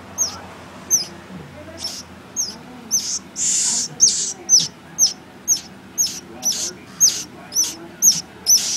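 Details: A swallow gives a steady series of high, sharp chirps, roughly two per second, broken by a couple of breathy hissing bursts over a faint low hum.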